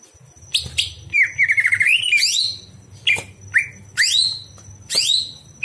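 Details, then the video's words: At night, a greater green leafbird's song used for training other birds: a fast wavering trilled run, then a series of short bright upward-sweeping whistles, under a constant faint high tone and low background hum. "masteran cucak hijau di malam hari"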